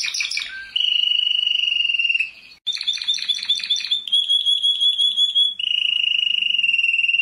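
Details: Canary, a world champion songster, delivering a continuous song of rolling trills alternating with rapid buzzy chirp series and a clear level whistled trill, each tour lasting one to two seconds.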